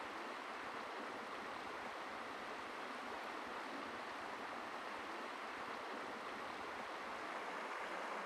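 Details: Even rushing of a stream or waterfall fills the recording, with no animal calls heard.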